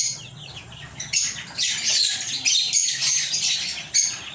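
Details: Lovebirds in a small home aviary chirping: quiet start, then from about one second dense, shrill, high chatter of several birds overlapping in rapid squeaky notes, with short dips between bursts.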